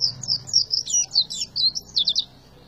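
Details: Brisk tembakan song of an Oriental white-eye: about a dozen sharp, high, clipped notes and twisting whistled slurs delivered in quick succession over roughly two seconds, with faint low hum.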